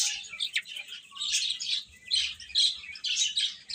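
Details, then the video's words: Baby chickens give a busy stream of high, thin cheeps that rise and fall in loudness through the recording. "Cute Chicks Chirping Sounds"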